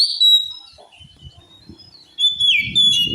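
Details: Oriental magpie-robin singing, said to provoke rival birds into rage: a long clear whistle opens, then a quiet stretch with faint low thumps before a second burst of rich, warbling, slurred whistles.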